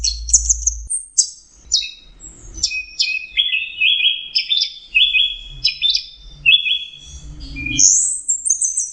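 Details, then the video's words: Orange-headed thrush song: high sliding notes lead into a repeated series of descending buzzy phrases, ending in a rising thin whistle. Soft low background noise is present. "Burung anis merah jenis burung kicau mahal dan suaranya merdu"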